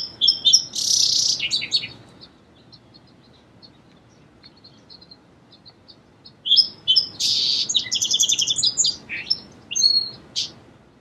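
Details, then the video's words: Two song sparrow songs separated by a pause with faint distant chips; each begins with sharp high notes and breaks into a dense, buzzy trill ending in a few clear notes. "Song Sparrow Bird Sound"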